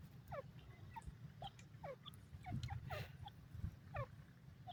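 A francolin gives shrill, downward-sliding notes in short runs, repeated about every second, over a steady low rumble of background noise.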